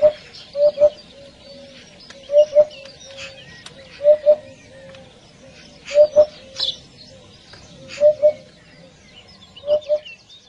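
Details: A Eurasian hoopoe calling its flock gives soft, low hollow 'oop-oop' notes in pairs or triplets about every two seconds, with faint chatter from other birds behind.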